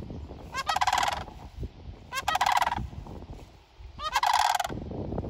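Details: Sandhill cranes at a strawberry farm giving loud, rolling, rattling bugle calls in three bursts about a second and a half apart, over a steady background rumble.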